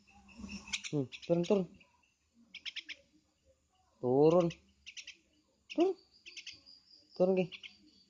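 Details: Javan myna giving a varied run of loud, nasal, harmonic calls in short bursts, some rising and some falling, with thin, high buzzy notes in between, about a dozen notes over eight seconds in a quiet setting.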